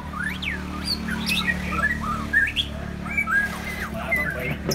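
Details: White-rumped shamas, two birds singing against each other: varied clear whistled phrases, some sweeping down and others rising, scattered across four seconds over a steady low hum.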